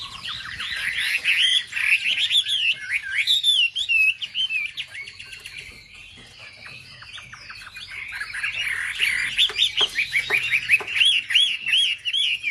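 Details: Wambi singing, played as a lure to provoke other wambi: loud looping whistled phrases in quick succession, a quieter scratchy stretch midway, then the bright looping whistles return strongly.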